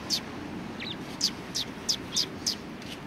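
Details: Sparrows chirping at a Tenmangu shrine, brisk high notes repeated roughly every third of a second with one lower curled note early on, over a constant low background hum.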